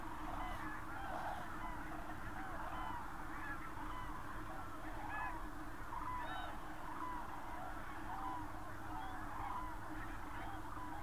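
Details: Common cranes in the Berlin countryside, Germany, on 24 October 2015: a dense flock chorus of overlapping rolling, trumpeting calls, many birds calling at once over a steady low rumble.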